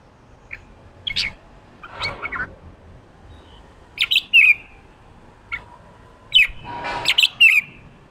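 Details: 'Ché' song of a red-whiskered bulbul, played to push a newly caught wild bird to sing. Scattered quick whistled notes and a few clustered chattering phrases with rustling noises between them.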